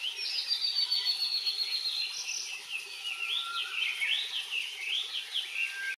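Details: Blue-and-white flycatcher singing at Enkaizan, Japan, on 23 May 2020: a long, high, thin whistle sliding downward, then quick looping warbled notes, over a steady high background hiss.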